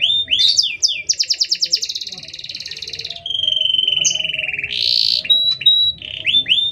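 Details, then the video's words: Canary song used to train or provoke other canaries: falling whistled notes, a rapid rattling trill, a long steady whistle sliding slightly down, then buzzy bursts and short upslurred chirps. "Suara Kenari Gacor panjang Jeda rapat"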